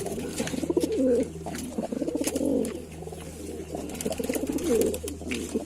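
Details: Several Lalsara pigeons give deep, burbling coos that swell and fade in overlapping waves, accompanied by a constant low hum and faint clicks.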